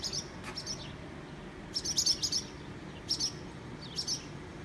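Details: Barn swallows calling around their nest built on a garage security light, filmed on a phone while the birds swoop and dive-bomb people nearby; short high twittering bursts in clusters about every second, over steady background hum.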